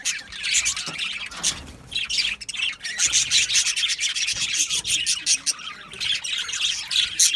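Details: Aviary colony of happy budgies: a brief lull, then sustained overlapping chirps, raspy squawks and fast warbling from many birds.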